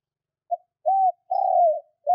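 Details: Spotted dove giving a cooing phrase meant to rouse kept doves into calling: a quick clipped opener, a rounded coo, a drawn-out tremulous coo sliding down, and a final note just starting.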